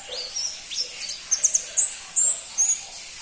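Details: ['Crimson-breasted flowerpecker (pentis pelangi) giving soft high notes that build to a few louder, drawn-out whistled squeaks near the end, each lasting a fraction of a second.']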